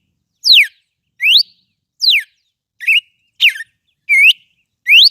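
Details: Red-cowled cardinal singing a lot: loud clear whistled notes, some sweeping down from high to low, others rising, a few short wavering phrases, delivered singly about every two-thirds of a second against a silent background.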